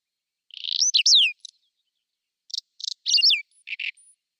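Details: Singing Whinchat in spring, April 2020, delivering short high phrases of rasping notes and quick downslurred whistles, with a burst of separate dry chattering notes after a pause.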